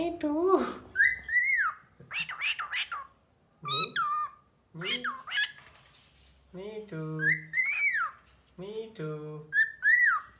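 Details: Cockatiel kept as a pet, repeating low nasal speech-like phrases that alternate with sliding whistled notes, in a rapid back-and-forth sequence.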